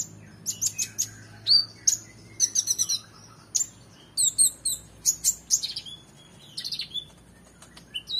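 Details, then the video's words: Oriental magpie-robin in energetic full song, used as a tutor recording for competition birds: rapid bursts of sharp, high whistled and chipping notes, some sweeping down, in quick clusters with brief pauses between. "KONIN GACOR EMOSI FULL BONGKAR ISIAN MEWAH‼️Cocok Untuk Masteran Burung Lomba"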